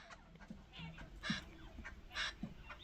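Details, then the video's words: Jungle babbler, said to warn the other forest birds of danger with its voice; a few loud, harsh, rasping bursts spaced irregularly over low background rumble. "Jungle babbler bird sound"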